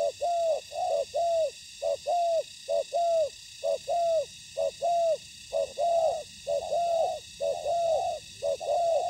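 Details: Decoy and wild spotted doves calling at a ground trap. Loud, steady train of short descending coos, evenly repeated about once a second, some notes overlapping, over a faint hum.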